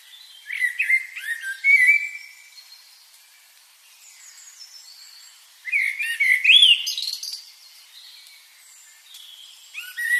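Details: Birds chirping in separate bursts of fast high twitters and looping whistled notes, with quiet stretches between.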